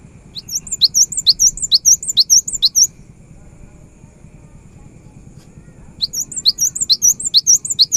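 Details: Cinereous tit song meant to make silent birds sing: two bursts of fast, high, looping whistled notes, about two seconds each, separated by a pause with steady background hiss.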